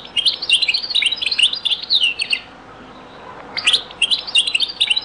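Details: A European goldfinch delivers Beni Messous 'les avocats' (zaboka) style song in this very old recording: fast, high, sparkling twitters for two seconds, a brief silence, then another lively twittering run.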